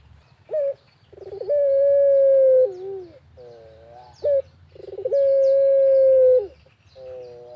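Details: Two complete cooing phrases from an actively singing Barbary dove in a rural setting, used as a lure: each has a short note, a rolling stutter and a drawn-out steady coo with a falling end, repeated about every four seconds; faint chirps behind.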